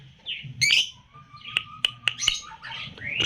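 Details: Lutino lovebird, three months old, its song described as having tight gaps. It gives high squeaky chirps and twittering notes, punctuated by several sharp clicks, with a faint low hum in the background.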